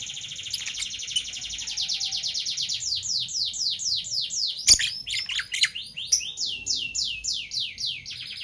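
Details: Parblue violet and parblue turquoise Fischer's lovebirds chatter in a fast stream of shrill, high chirps, many short descending notes repeated several times a second, with one sharp click midway.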